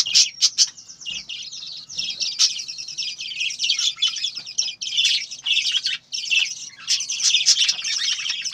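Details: A farm group of budgerigars gives continuous high chirping. Dense, scratchy warbling overlaps from several birds, with a few sharp clicks at the start and short pauses.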